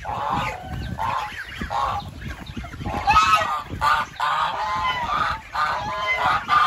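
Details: Geese honking in a dense, overlapping chorus, nasal calls tumbling over one another with scarcely a pause through the whole stretch.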